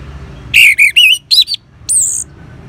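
Orange-headed thrush giving a quick run of four rich, warbling whistled phrases, then a higher, sharper whistled note, over a faint low hum.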